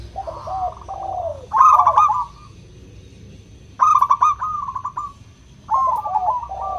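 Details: Local zebra dove (perkutut lokal) song used as a lure to stimulate reluctant doves to sing: loud, crystal-clear cooing phrases of rapid stuttering notes ending in trilled whistles, repeated every two seconds or so, with overlapping doves answering.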